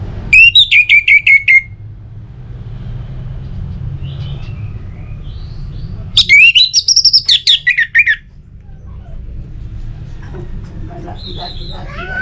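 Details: Orange-headed thrush recorded in North Bali as a lure to get other birds singing: two bursts of rapid, varied downslurred whistles and chirps, separated by softer twittering, over constant low hum.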